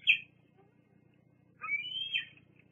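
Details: Bald eagle juvenile squeeing at the Fraser Point nest in August: one short, sharp high note, a silence, then a longer thin squeal that wavers upward and fades.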